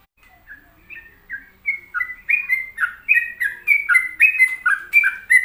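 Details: An actively singing sooty-headed bulbul starts softly and quickly builds to a loud, lively series of bright whistled notes, alternating higher and lower pitches and delivered several per second.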